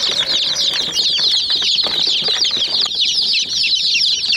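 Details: Murgi (chicken) chicks mobbing a miniature toy jeep, producing a thick stream of high, rapid chirps without pause, with pecking taps audible beneath the constant peeping.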